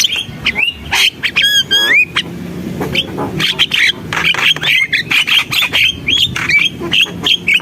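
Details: Javan myna singing gacor style: a rich medley of looping whistled notes, a quick laddered trill, upslurred squeaks and harsh clicking chatter in rapid, uneven bursts.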